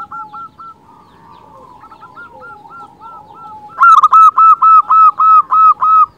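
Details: Local zebra dove song, used as a lure for other zebra doves: several distant doves coo softly in repeated series, then one nearby bird delivers a loud, quick train of about nine even, rolling coos.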